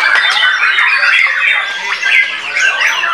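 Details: Caged white-rumped shama bursting into song as soon as its cage cover is pulled off: a dense, unbroken stream of rich warbled whistles and sharp chips, with fast rising and falling phrases packed closely together.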